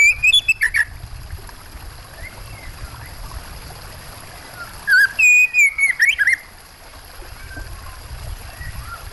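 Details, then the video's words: Oriental magpie-robin singing over a steady wash of running water. A brief opening phrase of clear whistled notes comes first, then a longer burst of sliding whistles mixed with quick, sharp twitters, followed by the water alone. "Suara burung kacer plus suara air"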